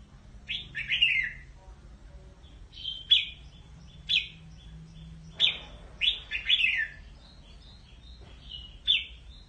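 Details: Red-whiskered bulbul calling to gather its flock, giving sharp high chirps and rolling, downward-slurring phrases in irregular bursts, some doubled, over a soft steady low hum.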